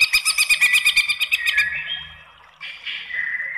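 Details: White-rumped shama song used to goad rival shamas into replying: a fast, pulsing, buzzy chatter of about a dozen notes, then a pause and a sustained clear whistle.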